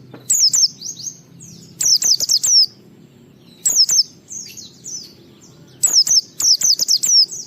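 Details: Singing white-eye, meant to stir other white-eyes into song: clusters of very high, thin, downslurred whistles delivered in rapid bursts roughly every two seconds, with a soft low background hum.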